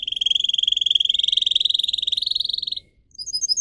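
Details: Singing canary kept as a pet, heard in a fast, even trill that slowly rises in pitch for nearly three seconds, a short pause, then bright chirped notes.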